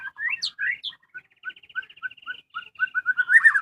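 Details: Caged white-rumped shama (murai batu) kept at home, singing melodiously: varied whistled slurs open into a rapid chattering trill. Evenly spaced clear whistles and a final burst of tumbling notes follow, against a quiet background.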